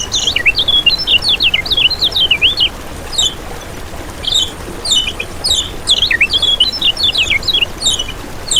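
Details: Kecial kuning songbird master recording used as a lure for trapping and to spur other kecial kuning into continuous singing; rapid high twittering phrases of quick rising and falling notes, in dense bursts with short pauses, over a faint low hum.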